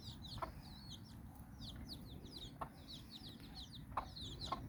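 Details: Basque Country hen, in Bizkaia, out walking with nine chicks; bursts of high wavering chick peeps, a few short low clucks and scattered pecking taps.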